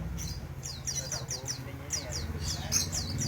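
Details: Crimson sunbird singing: a steady series of short, high, downslurred chirps repeated several times a second over a constant low hum, with faint voices.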